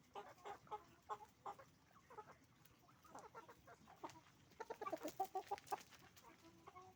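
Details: Roosters and hens making noise on a chicken farm: spaced short clucks at first, building to a quick cluster of louder overlapping calls, then easing back to scattered clucking.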